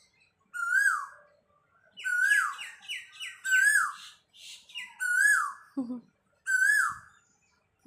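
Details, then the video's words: Cuckoo (koel) perched nearby, seen at close range; loud whistled rising-falling notes repeated every second or so, with a burst of quick stuttering notes between them and a few low thumps. "কোকিলের মধুর কন্ঠের ডাক"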